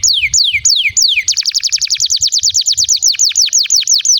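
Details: Canary song played to coax young or silent canaries into singing: three slow descending swoops, then a long rapid trill of repeated sweeping notes at about five per second, steady and loud.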